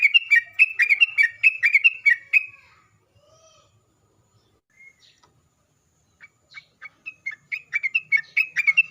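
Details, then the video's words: Sooty-headed bulbul song played as a lure to provoke bulbuls into singing: about two and a half seconds of fast, bright chattering phrases, silence with a few faint notes, then a renewed quick series of sharp repeated notes. "pancingan trucuk agar bunyi"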